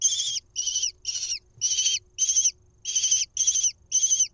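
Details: In Israel on 1 June 2021, a lesser kestrel nestling is fed a mouse at its camera-watched nest; hoarse, high screeching notes, some slightly downslurred, in eight irregularly spaced bursts, with faint background hum.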